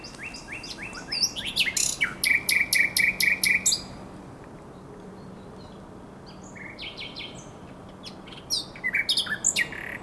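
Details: Common nightingale song at Żerań Canal, night of 23 to 24 April 2022: quick upslurred notes, then a loud rhythmic series of about ten emphatic repeated notes, a pause of several seconds, and another burst of rapid varied notes.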